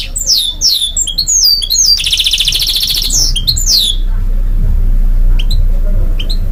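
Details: Goldfinch and canary mule singing a string of loud downslurred whistled notes around a buzzy trill for about four seconds, then only faint chirps over steady low rumbling noise.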